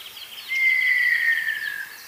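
A Montezuma quail gives one long, clear whistle, about a second and a half, slowly sliding downward in pitch. Faint chirps from other birds sound behind it.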